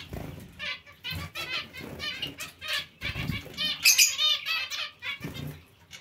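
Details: Nasal, stacked chirps from a zebra finch colony housed with Bengalese finches come in irregular rapid bursts, about three per second, mixed with fluttering wings and a few high squeaks.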